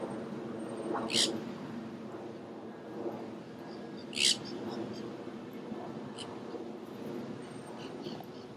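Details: Wild nanday parakeets, a feral flock feeding in crape myrtle trees in downtown St. Petersburg, Florida; two harsh, broadband screeches about three seconds apart over a steady murmur of background noise.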